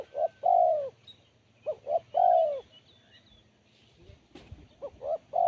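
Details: Sharp, crisp-voiced spotted dove singing low coo phrases. Two quick short notes lead into a long sustained coo that bends downward, with a phrase repeated after a brief pause. A faint thump and a distant high chirp are heard.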